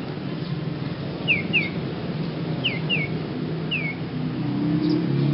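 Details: Young beginner Sirpu singing oddly: five short downslurred whistles, two in close pairs and one alone, spaced through a few seconds above steady low background rumble.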